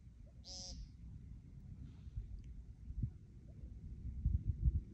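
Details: American woodcock calling before taking flight. One short, buzzy, nasal note sounds near the start, followed by rustling and low thumps.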